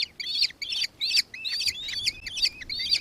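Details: Nankeen kestrel, Victoria, Australia, 4 December 2024, giving a loud, rapid chitter of sharp, high, slightly buzzy notes, around three per second, each note a short rising-then-falling squeal, with a quiet background.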